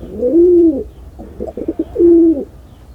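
A pigeon gives two deep, rolling coos about a second and a half apart, with a softer burbling murmur between them.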